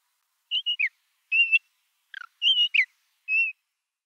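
An ant-eating chat gives clear, high whistled notes, some steady and some sliding down, in short bursts about a second apart, over otherwise quiet background.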